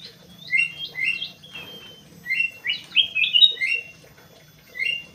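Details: Crewet in an aviary in Indonesia, repeating short bright chirps about every half second, then a fuller jumbled phrase of high whistled notes, ending with one more chirp.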